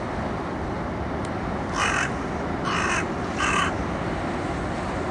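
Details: Carrion crow playing with a walnut, filmed through a telephoto lens: three harsh, hoarse caws spaced about a second apart over a steady low background rumble.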